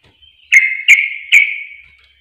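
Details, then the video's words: Three loud, sharp chirps from a sooty-headed bulbul, each trailing into a sustained ringing tone. Played as a lure to provoke other birds into singing. "Pancingan Trucuk Bahan Susah Bunyi Akan Langsung Emosi Panas"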